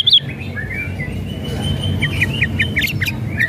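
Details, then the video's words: White-rumped shama whistles and rattles, used as a lure to provoke a lazy bird into singing: thin whistled notes and short rising chirps repeated in a loose series over a low background rumble. "SIULAN DAN KRETEKAN MURAI BATU"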